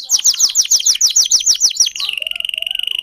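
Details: A domestic canary, likely of the cengkok song type that modifies its own song, sings a fast series of bright, high, down-slurred notes, about three per second, then a sustained high trill.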